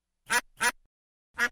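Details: Farm duck giving three loud, raspy quacks, two in quick succession and a third after a pause of nearly a second, with silence between.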